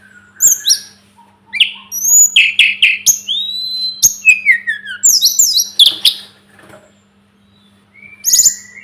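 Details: Tledekan gunung, the Sunda robin, sings in a tutoring recording. Bursts of varied high notes, sweeping slurs and sharp chips are broken by a short pause, then resume. A steady low hum runs throughout.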